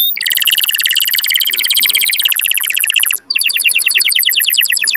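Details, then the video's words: Canary song used to prompt mating, loud fast trills in long unbroken tours, one short break near the middle, then another rapid rattling trill. "تغريد كناري قوي لتحفيز الذكور وتهييج الاناث على التزاوج Canary"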